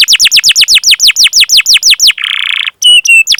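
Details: Canary chirping used to stimulate other canaries: a fast series of downslurred whistles, followed by a buzzy rasp and two flat whistled tones.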